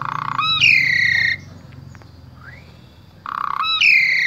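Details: Asian pied starling, Central Java, Indonesia, singing as a tutor for starlings: a buzzy nasal note leading into a long, loud descending harsh whistle, a pause with a faint rising whistle, then the same phrase again.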